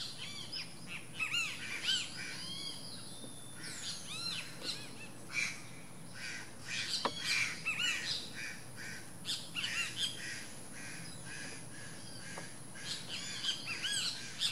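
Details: Least grebe near its nest with repeated bursts of short arched, harmonic-rich notes and chattering clusters over fourteen seconds, quieter gaps between, a few sharp clicks, steady low background noise.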